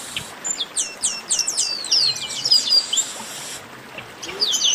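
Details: Short burst of Chestnut-capped blackbird 'baderna' chatter: a run of quick high downslurred whistles followed by brighter trilled notes, then a brief lull before more calls.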